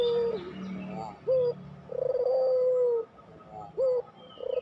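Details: Pelung-type Barbary dove used to coax silent doves into cooing; it alternates short upturned coos with one long, steady, vibrating coo, in a quiet background.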